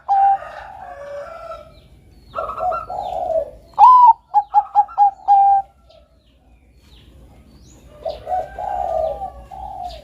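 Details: Zebra dove of the Bangkok strain singing melodiously, used as a training lure for doves: soft cooing, then a loud phrase of a rising note, four staccato beats and a sustained coo, followed by quieter cooing.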